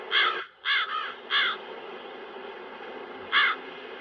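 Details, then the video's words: A crow gives four harsh, hoarse caws, three in quick succession and one after a two-second pause, over a steady rush of wind. "The Sounds Of Earth 14 - Crows"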